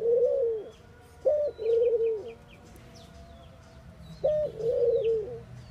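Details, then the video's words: Mourning dove giving its mournful coo: a drawn-out low hoot, then a brief rising note leading into a long, gently falling moan, heard twice, while small birds twitter faintly higher up. "Mourning Doves Make Noise"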